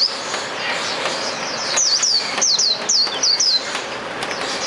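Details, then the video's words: Hume's white-eye in the wild, singing in the 'ngalas' style: a rapid series of high, thin, downslurred chirps and trills, louder bursts in the middle, over a steady broad hiss of background noise. "Burung Pleci Auriventer Ngalas"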